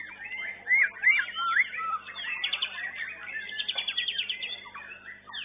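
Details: Young white-rumped shama singing in a class-six contest round at a modern bird-song competition arena: rapid varied whistled phrases with sharp up-sweeps, then fast buzzy trills, other contest birds faintly behind.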